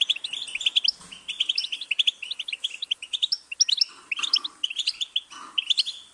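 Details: European goldfinch song from a trained bird: fast, bright twittering with jangling notes and quick rising flourishes delivered in dense bursts, slight room noise underneath.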